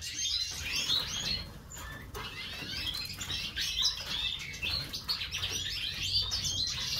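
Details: A male Hawfinch gives sharp, high ticking calls in rapid, irregular bursts, over a busy background of other small birds chirping.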